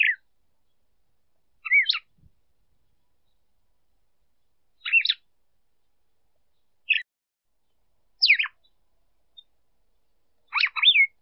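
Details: Female red-cowled cardinal singing to stimulate a male, in a clean recording without noise: six short, separate phrases of slurred, sweeping whistled notes with sharp downward strokes, spaced about two seconds apart against silence.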